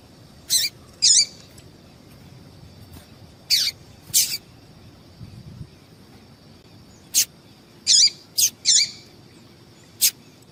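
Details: Female yellow-bellied seedeater giving the call meant to stir up males for singing contests: brief high chips in loose pairs a few seconds apart, some very short clicks between, with a quiet hissing background.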